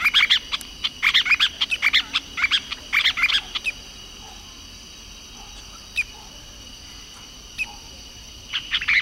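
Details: Masked water tyrant singing a lot: tight bursts of sharp, clicky chattering notes come in quick groups about every half second for four seconds. Scattered single notes follow over a steady, high, insect-like hum.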